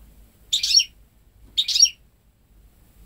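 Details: Home-raised goldfinch × canary hybrid, ten months old, hatched May 2013, never exposed to a male canary; two buzzy-bright twitter phrases about a second apart, a third beginning at the end.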